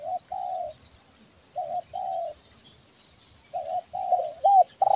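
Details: Spotted dove, belah dada type, from Kepri, Indonesia, a lure recording of a bird in full voice; steady hooted coos in short-long pairs repeating about every two seconds, ending with a quick bent note.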